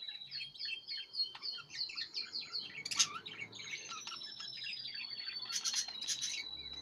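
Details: A pair of Budgerigars chatter in quick, scratchy high chirps, with clicks and a thin drawn-out whistle.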